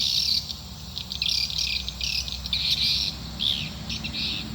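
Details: Swiftlet calling sound aimed at attracting swiftlets to a nest building: scattered high chirps and rapid twitter runs in short clusters, with a low rumbling hum underneath.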